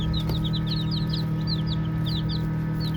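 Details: Baby chicks playing, a flock giving soft high peeps: short, sharply sliding notes in quick overlapping bursts, some rising and some falling, over a steady low mechanical hum.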